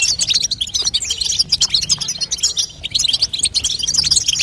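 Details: Rapid high chatter of a female European goldfinch meant to get a young goldfinch singing; tinkling chirps run densely, ease slightly near the middle, then resume in full, quick bursts.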